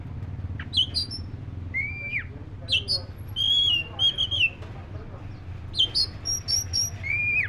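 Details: Black-breasted oriental magpie-robin singing: clear whistled notes, some rising and some falling, bright high upslurs and a sweet dropping phrase, with pauses between bursts over a steady low hum.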